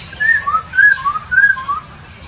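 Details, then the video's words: Papuan poksay singing in Nabire, Papua, 26 December 2021: six pure whistled notes, each a short slurred glide, alternating higher and lower in a lilting, even rhythm against a soft low rumble. "Burung Poksay Papua"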